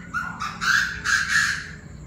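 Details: Chinese francolin among a noisy group with varied voices at 7 pm on 9/18, giving a loud rapid series of harsh, grating, rising notes, four strained phrases packed into two seconds.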